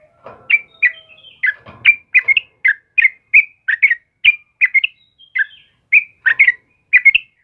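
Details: Sooty-headed bulbul of the type known locally as trucukan kebo, singing energetically in the morning: short bubbly whistled phrases, each two or three quick notes, repeated about every half second with brief gaps.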